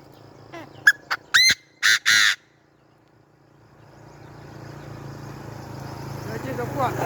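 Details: Francolin giving sharp, clipped notes that build into two harsh, grating bursts within about two and a half seconds. After that comes a quiet gap, then a slowly rising wash of background rumble and noise.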